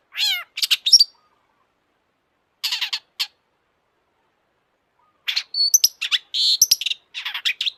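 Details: Long-tailed shrike singing at full intensity as a lure for other shrikes, its song laced with imitations of other species: a descending whistled slur and scratchy chirps, a pause, a brief burst, then a longer jumble of whistles and harsh notes.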